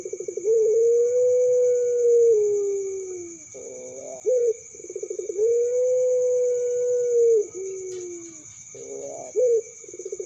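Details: Juvenile puter pelung dove calling twice. Each phrase is a long level coo held about two seconds, easing downward, then a quick trilled roll and a short final note, with a steady background hum.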